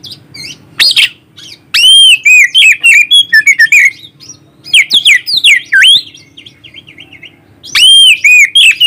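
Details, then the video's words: White-rumped shama song used as a lure to raise the excitement and breeding drive of other shamas, recorded on a phone: loud varied whistled phrases, rich rising and falling notes in bursts with short pauses between them. "Pancingan Burung Kacer"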